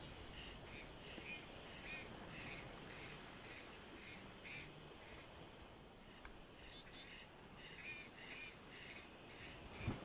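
Egyptian goose giving harsh, raspy honks repeated about twice a second, a steady hoarse pulsing over a low background rumble.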